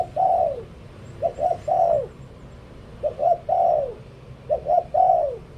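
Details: Decoy spotted dove cooing in Thailand, low soft phrases of two short coos followed by one long note that falls at the end, repeated about every one and a half seconds over a quiet hum.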